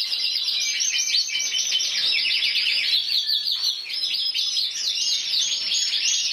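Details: Individual intense yellow canary, champion of Spain in 2014 with 94 points, singing dense rapid trills and rolling tours, high and even in volume, with a short pure whistled note midway.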